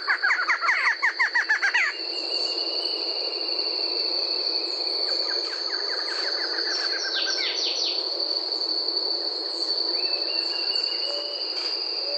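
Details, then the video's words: Barred Antshrike (choca-barrada) from Brazil. A rapid series of nasal notes runs for about two seconds and then stops abruptly. A fainter series follows later. A steady high cricket buzz continues throughout. "Canto da CHOCA-BARRADA"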